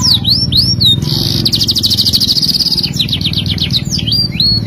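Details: Singing canary used as a training song: a few curved whistled notes, a fast buzzy trill held for over a second, rapid descending sweeps, then more curved whistles, with low background rumble.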